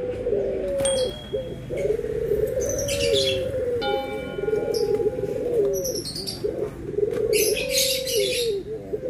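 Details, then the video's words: White and brown Barbary doves compared by their cooing: drawn-out, rolling low coos running almost without pause. Short chirps from small birds and a thin whistled tone break in above. "PERBEDAAN SUARA ANGGUNGAN BURUNG PUTER PUTIH DENGAN PUTER COKLAT"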